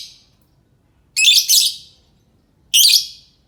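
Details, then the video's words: Lovebird calls used as a lure to get other lovebirds to answer: harsh, shrill screeching chirps, a doubled burst followed by a single one, high and loud against a quiet background. "Suara Burung lovebird cocok untuk pancingan lovebird pasti nyaut"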